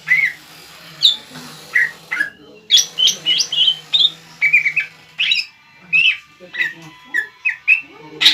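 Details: Caged greater green leafbird in full song, used to stir a rival leafbird into answering: loud, varied whistled and chirped notes in short bursts over eight seconds, with a faint low hum underneath.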